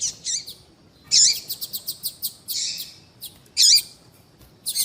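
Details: Female Coleiro baiano calling persistently to stimulate males: loud high chirps with a dipping lower tail, alternating with quick runs of short ticking notes, repeated in bursts.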